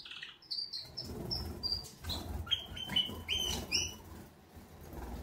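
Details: Canaries giving a wake-up song: quick series of short, clear whistled notes and brief trilled phrases, some rising sweeps, high-pitched and varied, over a steady low background rumble.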